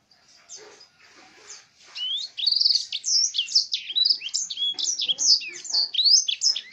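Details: Canary tutored with blackthroat song: after quiet faint notes in the first two seconds, a loud, fast run of high swept whistles and twittering slurs, rising and falling notes packed closely together to the end.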